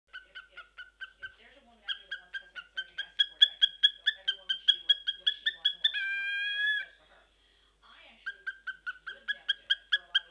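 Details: A male cockatiel (he) makes quick runs of bright, clipped chicken-like clucks with one drawn-out whistled note; he is made to do chicken noises and kisses, and his owner says he looks cute but is very angry.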